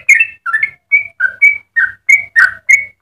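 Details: Clear whistled song of a Yellow-vented bulbul, used as tutor for other bulbuls: separate pure notes roughly three per second, alternating higher and lower, with a faint low hum beneath.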